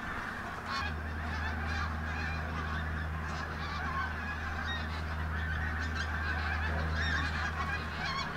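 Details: Large flock of pink-footed geese moving in and out of Martin Mere WWT Reserve, Lancashire, on a bright October 8th, 2012: a continuous babble of overlapping honks and yelps over a steady low hum.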